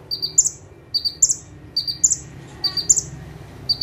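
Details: Bar-winged prinia singing actively in full bursts while perched in one spot: high thin phrases, two short notes and then a bright upward whistle, repeated about every second over a low steady hum.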